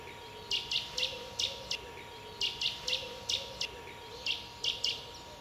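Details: Boreal owl fledglings, one of three young that have left a nest in the Dresdner Heide, Germany; short hissing, raspy notes, mostly in pairs or small groups, repeated at uneven intervals over a steady low hum.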